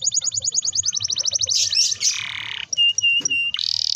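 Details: Canary singing a rolling song used to get young canaries singing: a fast steady trill of repeated notes speeding into a harsh buzz, then flat whistled tones interrupted by clicks, ending in a high buzz.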